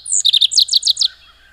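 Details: Rusty sparrow singing a brisk phrase: one thin high note followed by seven rapid, clipped chirps, evenly spaced and slightly descending, ending abruptly; otherwise still surroundings.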